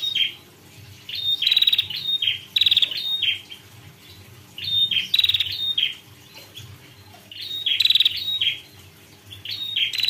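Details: High-pitched pekter call of a female prinia, loud clusters of fast rattling ticks and sharp slurred chips separated by quiet gaps of a second or two, a low droning hum underneath.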